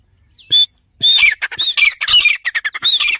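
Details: Grey francolin, or teetar, calling loudly: one clear high whistled note, then a fast run of harsh, squawking, rhythmic phrases repeated several times in about two seconds.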